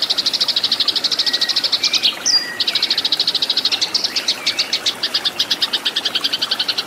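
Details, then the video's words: Eurasian tree sparrow fighting song, recorded for training cage birds: fast, loud, bright chirp runs, interrupted by a sharp high note and a thin slurred whistle, then looser, irregular chirping. "MASTERAN BURUNG GEREJA TARUNG"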